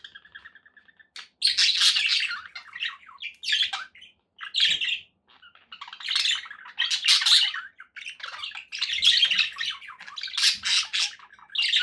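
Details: Pet budgerigars kept as company birds, chattering in busy bursts of scratchy, buzzy chirps and warbles, high-pitched, with brief pauses between phrases and quiet indoor background.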